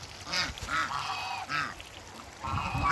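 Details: Two male and one female African geese in backyard water give short, nasal honks in quick pairs, with splashing between calls.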